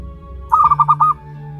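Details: Young zebra dove, aged one month, local wild bird, making a single half-second trilled coo of five quick pulses against soft continuous background music.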